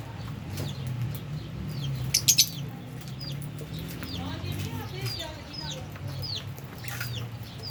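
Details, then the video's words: Albino and Fischer's lovebirds eating and playing: sharp, high chirps that sweep downward, scattered in the second half, over low murmuring human speech and a brief clatter. "Lovebirds Chirping Sounds"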